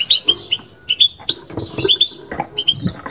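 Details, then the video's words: Caged European goldfinch giving batbata-style twittering: bright, clipped chirps at high pitch in short bursts about three per second, with muffled low knocks underneath. "بتبتة لو مغناش معها"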